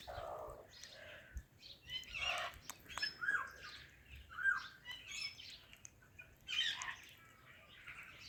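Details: Ringneck parrot talking while greeting an Alexandrine parrot, giving a string of short, irregular, word-like utterances and chirps spaced over several seconds against low room noise.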